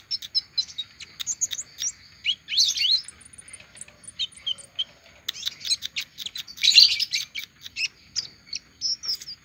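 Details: Olive-backed sunbird singing after finishing its moult: a fast, continuous stream of high, thin chirps and sharp twittering notes, with louder bursts around the third and seventh seconds and brief pauses between phrases.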